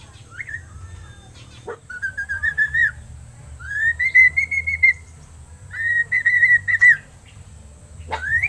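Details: Seven-month-old pet crested myna (Acridotheres cristatellus), learning to talk, mimics with drawn-out, wavering whistles around two seconds long and quick upward sweeps between them, over a low hum.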